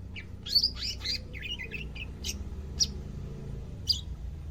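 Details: Caged greater green leafbird on its second day of care, starting to sing actively; bursts of sharp high chirps and short twittering notes, then single bright chips spaced about a second apart over a low hum.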